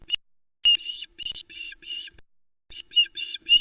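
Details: Female osprey calling at a nest at Loch Arkaig on 1 September 2020, around a male's delivery of a live flatfish: short harsh squawky notes in uneven groups, with a brief quiet gap between bursts.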